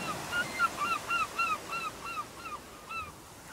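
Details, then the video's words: Gulls calling on a beach as waves wash up the sand: several birds overlapping in rapid series of short, arched mewing calls over a steady wash of surf. "Seagulls and waves visual and sounds"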